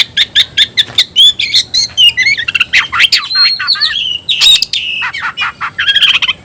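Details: Caged oriental magpie-robin of the new 'tayoraky' variety opening with a rapid series of evenly spaced sharp notes, then flowing into a busy mix of whistles, trills and harsh bursts.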